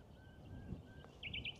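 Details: A Common Nightingale sings in a field on Minster Marshes by Pegwell Bay, Thanet, Kent, with another singing nearby: faint, drawn-out pure whistles, then a quick burst of three bright, high notes, over a low rumble of wind.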